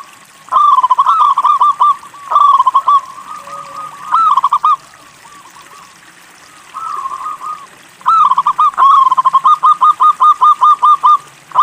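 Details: Local zebra dove, a keen singer used as a tutor to make other doves sing: several bursts of bubbling cooing notes, a pause, then a long steady series of rapid pulsed coos.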